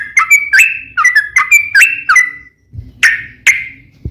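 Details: Yellow-vented bulbul (trucukan) in energetic 'ropel panjang', a long rapid-fire song style, used as a lure recording to make other bulbuls sing. About eight quick, bubbly whistled notes with sharp upward and downward inflections in a steady burst, then two loud harsh chirps after a brief pause.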